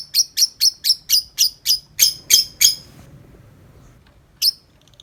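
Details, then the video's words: Tame lovebird outside its cage, giving long nonstop 'ngetik' chatter: a fast run of nine harsh, scratchy chirps about four a second, a pause, then one more sharp chirp; quiet room. "Lovebird Jinak Ngetik Panjang Nonstop 10 menit di luar Kandang"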